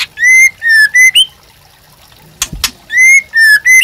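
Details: White-rumped shama singing in 'gacor' style as master song for captive birds: pure steady whistles, some ending in a quick upward flick, paired with a gap holding two sharp clicks.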